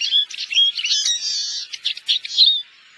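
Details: Eurasian siskin wintering in Korea: a dense, rapid stream of high twittering and buzzy chirps for about two and a half seconds, ending abruptly.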